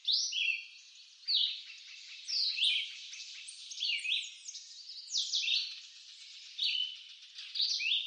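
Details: Red-eyed vireo, eastern North America woodland, sings clear slurred phrases spaced by pauses, while a faint rapid series of soft ticks runs underneath early on, and a light hiss persists throughout.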